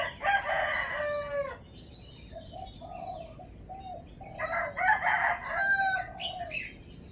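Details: Caged red-whiskered bulbul showing off its song phrases: two dense, warbled harmonic phrases, each about one and a half seconds long, with a run of short, even mid-pitched notes between them.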